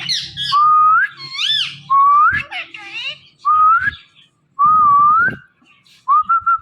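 A rose-ringed parakeet gives clear rising whistles, about five in six seconds, each sliding upward around mid pitch, with soft room noise between.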